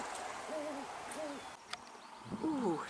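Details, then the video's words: A great horned owl perched in a tree at a regular perch near Abbott's Lagoon, Point Reyes, Northern California, gives two deep, soft hoots about half a second apart, followed by a person exclaiming nearby. "did you hear that? A rather glorious great horned owl, just up there."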